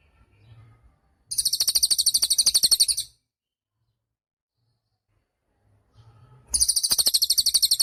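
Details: Cililin song in lively form, used to train songbirds: a steady, very high trill of evenly spaced sharp pulses for nearly two seconds, a long pause, then the same rapid trill starting again.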